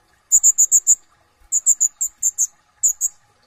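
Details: Brown-throated sunbird, locally konin, in energetic song with full isian tembakan. Rapid bursts of five or six sharp, very high chips alternate with short silences.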